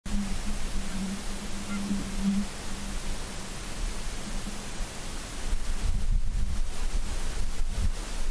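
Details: Low steady electrical hum under broad hiss and faint rustling, with no animal voices.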